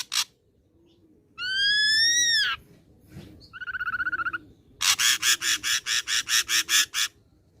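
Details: Energetic song of a young ashy drongo taken from the wild: a harsh burst, a loud arched whistle, a rapid trill, then roughly eleven rasping notes repeated in a steady rhythm.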